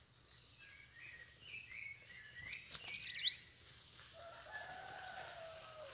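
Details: Bananaquits gathering around a cage during a campeada lure session, several free birds arriving: thin, high chirps and short tweets repeated about once a second, building to a bright upswept squeal, with a faint low hum beneath.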